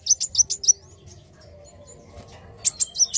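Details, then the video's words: Black sunbird giving a few quick, piercing high chips, then a quiet gap with faint soft background notes, before another short burst of rapid high notes. "Kicau Merdu Kolibri Wulung Gacor Narung"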